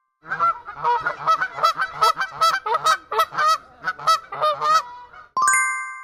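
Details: Goose honking in a rapid run of about fifteen loud, nasal honks over five seconds, some rising at the end, ending with a chime.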